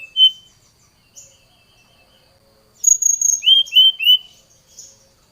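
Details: Brown-chested jungle flycatcher, agitated and calling a rival, gives a lone whistle, a pause, then high slurred notes leading into three loud whistles that each fall sharply.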